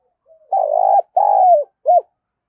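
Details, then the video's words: Decoy spotted dove calling wild birds in: a faint opening note, then two long, vibrating, mid-pitched coos, the second falling at the close, and a short clipped final note that rises and falls. "Chim Cu Mồi Thúc Và Gáy Gọi Bổi/ chim cu gay kich boi hieu qua"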